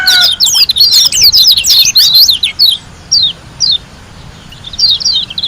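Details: White-eye from Lombok in fast ngalas-style gacor song: an energetic tumble of high slurred whistles and chirps, then a few isolated sharp descending notes after a pause.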